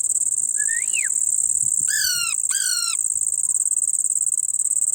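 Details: Indian ringneck parrot chick calling: a thin rising whistle, then two harsh descending harmonic squawks in quick succession, against an unbroken shrill insect-like background drone.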